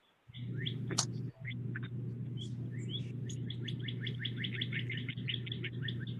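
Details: A female Northern Cardinal, one of Michigan's winter birds, sings clear slurred whistles, then a quick run of repeated sweet notes, about four per second, over a steady low electrical hum.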